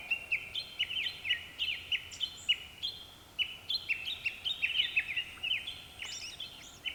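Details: A Japanese thrush, one of several singing around dusk, gives a lively run of bright, clipped whistles, several notes each second in quick varied phrases, over a soft background hiss.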